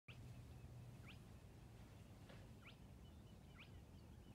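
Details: Spotted crake singing in reeds at Hörningsholm, Sweden, on 5 June 2019: sharp, whiplash-like rising 'hwitt' notes about once a second, fairly distant, over a steady low rumble of background noise.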